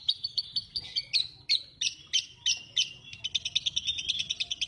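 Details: Lovebird chattering fast, with high, sharp, squeaky notes repeated about three times a second. Piercing buzzy chirps come in a steady pulsing series, speeding into a tighter trill near the end.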